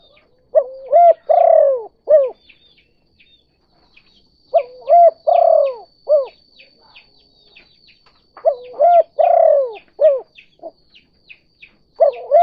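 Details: Spotted dove kuk 2 cooing, played as a trapping lure. Three full phrases about four seconds apart, each with short coos, a long buzzy falling coo and arched end notes. Faint high chirps sound between phrases.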